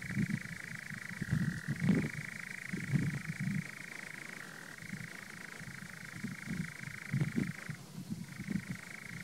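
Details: A nightjar on Kelling Heath gives a long, unbroken mechanical churr that dips and rises slightly in pitch every few seconds, over low irregular croaking or thumping in the background.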